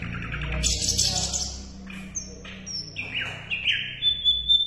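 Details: Asian brown flycatcher song used to tutor competition songbirds: a harsh buzzy burst, then a sequence of clear high whistles and short downslurred notes, ending on a long thin whistle.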